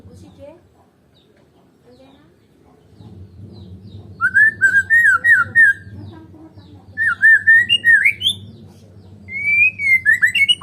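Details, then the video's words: White-rumped shama of the Medan type, singing without a rival bird: after about four seconds of near silence over a low hum, rich fluting whistled phrases rise and fall in three bursts, each about two seconds long. "KICAUAN BURUNG MURAI BATU MEDAN TANPA LAWAN"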